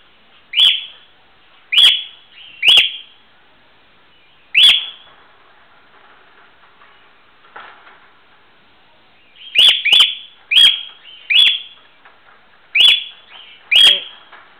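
A cockatiel gives sharp, shrill chirps, repeated in irregular bursts with short pauses between.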